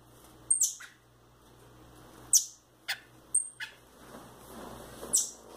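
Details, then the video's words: Rufous-bellied thrush chicks kept at home, a male and a female, give sharp, very high calls that sweep downward, plus thin, steady, high whistles. The calls come in irregular ones and twos over a quiet indoor background. "Meus filhote de sabiá"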